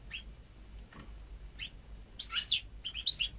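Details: Home-bred goldfinch × canary hybrid, born May 2013 and singing at ten months old, never having heard a male canary, its song built entirely from goldfinch phrases: faint thin chirps, then a bright cluster of high twittering notes near the end.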